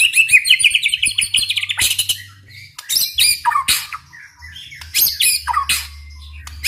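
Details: White-rumped shama in lively song used to draw other shamas into singing: a fast warbled whistling run, then bursts of harsh, buzzy rattling notes and sharp chips separated by brief quiet gaps.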